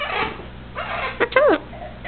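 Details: Male pet Eleonora cockatoo indoors, talking and whistling, gives a short harsh burst, then a clear harmonic note that rises and falls, with a person's voice nearby.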